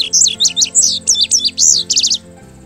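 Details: Indigo bunting, a sound whose presence means the bird is close by, played for comparison with the painted bunting: a quick series of high, sharp, sweeping and buzzy notes, some paired, ending in a rapid trill, over a steady low hum.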